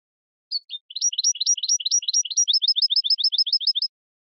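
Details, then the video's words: Clean recording of a singing European goldfinch: a couple of soft opening notes, then a steady series of bright, bouncy rising chirps that speed up slightly toward the end. "من أقوى تغاريد طائر الحسون الجميلة"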